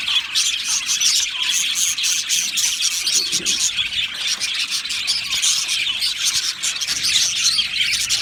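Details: Many budgies in an aviary singing and chirping: constant overlapping twitters and warbles, bright and high, keeping an even loudness throughout with no breaks.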